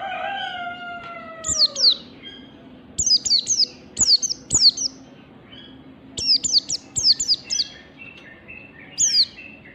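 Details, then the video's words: Oriental white-eye ngalas song recorded in the morning as a training lure: a long, lower, drawn-out descending wail opens, then repeated clusters of two to three high, falling whistled notes run through the clip. "pancingan pleci belajar ngalas ampuh || PLECI NGALAS DI PAGI HARI"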